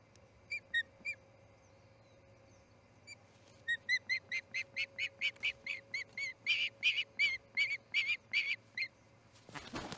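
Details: Osprey chick leaving the Charlo nest at dawn, August 10, 2018: a few scattered thin chirps, then a steady run of high, clipped piping notes about three per second, growing louder, ending with a rustling thump.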